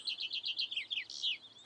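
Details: A Common Chaffinch sings its roughly three-second song of repeated phrases, a bright, quick run of high notes that falls away and ends in a sharp flourish.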